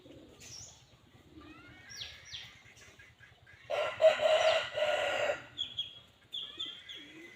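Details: Red junglefowl crow, harsh and gravelly, lasting nearly two seconds, set among thin descending whistles from other birds and a low, rapid ticking background.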